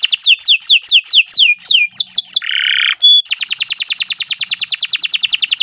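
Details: Canary performing a long song: rhythmic falling whistled notes in quick succession, a buzzy rasp, a brief pure tone, then an extended rapid trill.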